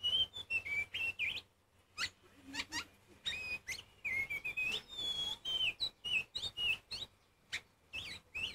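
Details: Oriental magpie-robin singing loudly to provoke rivals, a fast irregular stream of whistled, warbling and chirping phrases, about two per second, with short gaps.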